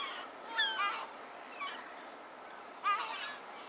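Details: Many geese flying around overhead on a snowy day, giving two loud bursts of nasal, slurred honks about two seconds apart with fainter calls between, over a steady outdoor hiss.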